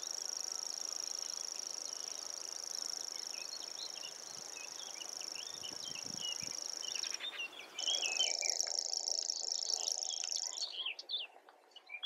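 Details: Common grasshopper warbler reeling, a high, even, mechanical trill that runs unbroken for about seven seconds, pauses briefly, then resumes, with other birds chirping and a few low thumps mixed in.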